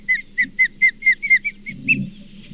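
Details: Osprey at the Charlo nest, 4 June 2023, with a grizzly bear perhaps near: loud, close, piercing whistled chirps, about nine in two seconds, each slurring downward, with a brief low rustle near the end.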